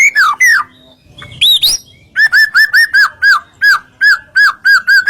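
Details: White-rumped shama song used as masteran to provoke other birds into singing: downslurred whistles, then a run of about a dozen short repeated whistled notes, roughly three per second, with a brief buzzy burst in between.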